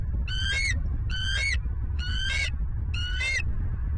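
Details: A bald eagle calls at a Southwest Florida nest, picked up by a nest camera on the morning of 27 November 2022. It gives four high, piping notes, roughly one per second, each with a sharp rising-falling tone, over a steady low rumble.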